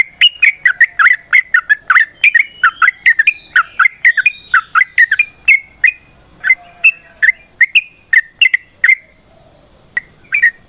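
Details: Sooty-headed bulbul (trucukan) singing a long ropel panjang natural song used as a lure: a dense stream of chattering, bubbly notes for six seconds, slowing into spaced whistled phrases.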